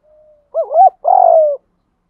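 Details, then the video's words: Spotted dove cooing to stimulate and train other doves: a faint soft tone, then a low wavering double note and a drawn-out purring coo that gently falls, all at one low pitch. "tiếng chim cu gáy thúc gù, chim cu gáy kích bổi"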